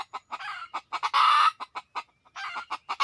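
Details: Red junglefowl calling with rapid, short, abrupt clucks in quick bursts, broken by longer harsh, drawn-out cackling notes lasting about half a second.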